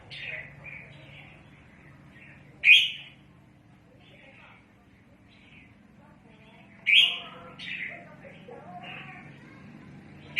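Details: Bird-trapping red-whiskered bulbul calling repeatedly: loud, sharp, rising notes every few seconds, each followed by softer chattering notes, over a faint low drone.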